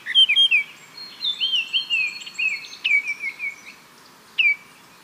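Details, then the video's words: Baltimore oriole (Icterus galbula) song: clear, flute-like whistled phrases that slur up and down, in a run of short notes followed by a lone whistle near the end. "O canto do Corrupião de Baltimore"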